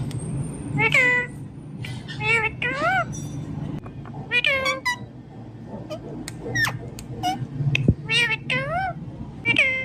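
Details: A parrot talking without pause: a string of short, harmonic, speech-like syllables that rise and fall, with several clear bursts packed together and a steady low hum underneath.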